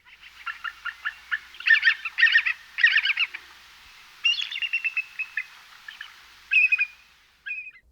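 Bald Eagle giving thin, high chittering bursts of rapid stuttered notes, then a few piping whistles that slide downward. A surprisingly weak, squeaky voice.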